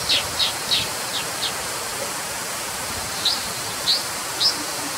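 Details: Brown dipper calling with a run of five soft, sharp high notes, then three louder isolated chips spaced about half a second apart, over a steady rushing hiss.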